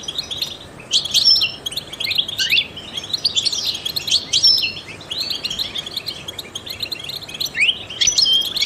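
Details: Trained European goldfinch singing to stimulate other songbirds: a dense, rapid twittering of high tinkling notes and short buzzy trills, delivered almost without pause over a steady background hiss.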